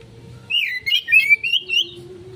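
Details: Konslet-style kacer (Oriental magpie-robin) lure song: a quick series of bright, slurred whistles wavering up and down, about five notes over a second and a half, over a soft low background hum.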